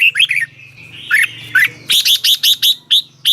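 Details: Thai red-whiskered bulbul song to excite caged birds: a few warbled whistled notes give way to a rapid series of about nine sharp, evenly spaced high chirps.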